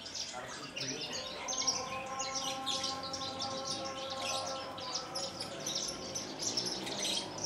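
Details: Caged Horsfield's bush lark from Kulon Progo, Indonesia, delivering 'Jambul'-style song while fluttering its wings: dense, high, scratchy chirping runs, with a wavering siren-like tone beneath.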